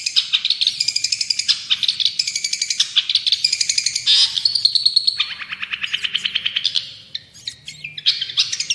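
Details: Long-tailed shrike singing energetically, a recording meant for tutoring other songbirds: dense, harsh chattering phrases and quick rattling trills, high-pitched and nearly continuous, with a short pause near the end.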